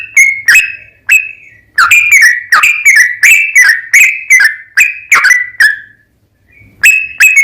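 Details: Sooty-headed bulbul singing its long, fast 'ropel panjang' song as a lure to make other bulbuls sing: a run of bright, slurred whistled notes, a brief silence, then two more notes.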